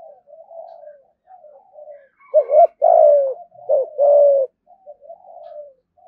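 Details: Lure spotted dove in a cage, soft low murmuring coos building into a loud phrase of a clipped double hoot and a long sliding coo, then quiet cooing again.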